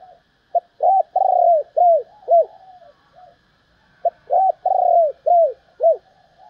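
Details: Female spotted dove giving a call meant to stimulate males. Two repeated phrases: a clipped opening note, a long vibrating coo, then two or three downward-curving coos, with a brief gap between.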